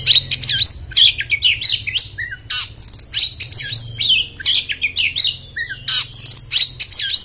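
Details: Oriental magpie-robin singing in the rough, harsh "beset" style: a fast, dense run of high whistles, sharp chirps and rasping notes that sweep up and down almost nonstop, over a steady low hum.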